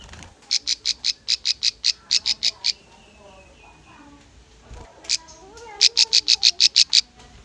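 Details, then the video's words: Song of a bar-winged prinia meant to lure and train young birds: a long run of about fourteen sharp, high, regularly spaced notes, a pause with soft lower chirps, then about ten more. "PANCINGAN SUARA CIBLEK AMPUH COCOK UNTUK BURUNG BAHAN"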